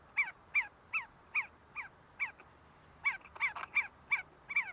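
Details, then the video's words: See-see partridges feeding and fighting inside the University of Sulaimani, Kurdistan: short downslurred whistled notes repeated about three times a second, with a brief pause mid-series, over quiet background. "سوێسکە - حجل - see see partridge"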